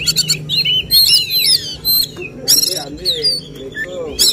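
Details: Oriental magpie-robin at a songbird contest giving 'tembakan' song: rapid slurred whistles and rasping bursts, partly masked by nearby voices and low background chatter.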